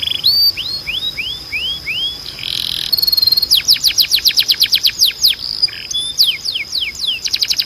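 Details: Training canary song: repeated falling-rising slurs, a short buzz, then a rapid run of steep descending sweeps and mixed chips over a steady high whistled tone.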